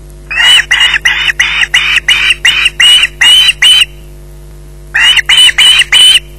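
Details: An osprey screeches while it has a fish at its nest at Loch Garten at 20:33. It makes rapid, rasping, uniform calls, about ten in a row, then pauses before five more.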